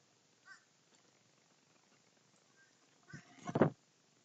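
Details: Crows gathered while feeding: a faint caw at the start, then quiet, then a loud, rasping double caw building up near the end.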